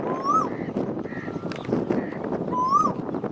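Asian koel giving two clear, rising whistled notes about two and a half seconds apart, over steady rustling background noise and faint other bird calls.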